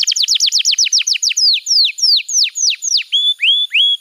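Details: Canary master song used to train young canaries: a series of clear downward-sweeping whistled notes, fast at first then slowing, ending with level high whistles and short rising slurs, no background noise.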